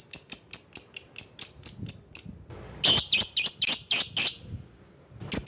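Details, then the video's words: Lovebird used as a lure to call rivals: quick series of thin high ticks, then a burst of loud harsh shrieking squawks and a final pair of ticks. "Burung LOVEBIRD Ampuh memanggil lawan"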